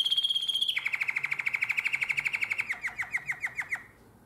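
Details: Nightingale-voiced canary, Drama, Greece, 2017, delivering a high note series that drops into a long, even rolling trill of rapid pulses, slowing and thinning toward the end before falling silent.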